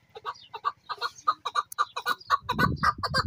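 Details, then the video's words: Male chukar, a hunting bird in an excited mood, gives a steady run of hoarse, clucking chuk notes, about two each second, growing louder toward the end over a low rumble. "Keklik Sesi Dasi Chakoor ki Kobsorat Awaz Chakoor Sound چکور مستی کرے ہوے دیسی چکور"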